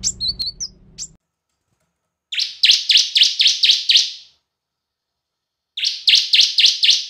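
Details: Bar-winged prinia lure song in the semi and kristal styles: a few thin high whistles, a pause, then bursts of six to eight sharp, buzzy, evenly repeated notes, with a silent gap between bursts.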